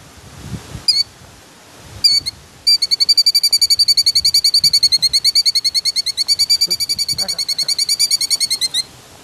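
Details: A female killdeer guarding her nest gives a few sharp, high notes, then a long, fast, even trill of shrill piping calls, about six per second, with faint outdoor background noise.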